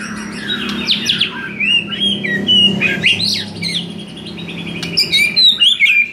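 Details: Varied white-rumped shama song for rousing a bird that rarely sings: loud sweeping whistles and slurred notes tumble continuously, closing with sharp high chips, over a steady low hum.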